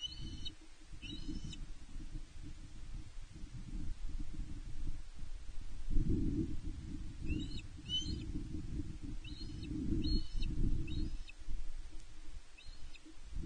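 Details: Osprey calls from the Loch Arkaig nest, Scotland, 5 July 2021, where the female calls and the male brings a fish. Brief clusters of sharp whistled chirps, then a silence, then several more clusters, all over loud rumbling wind.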